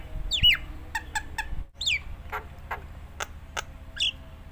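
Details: Nias hill myna singing to draw out other mynas: a sharp falling whistle, three quick harmonic notes, another down-slurred whistle, then spaced sharp clicks and a final rising note; fairly quiet against a low hum.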